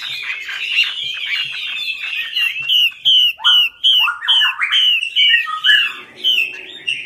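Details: Chinese hwamei, or melodious laughingthrush, singing a lure song: a rich run of varied whistled phrases, then loud repeated downslurred notes about three a second, with a few lower rising slurs.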